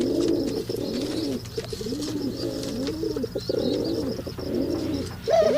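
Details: Mating male pigeons: low swelling coos repeated about every second, over a grainy background with a faint high hiss and a sharper note at the end.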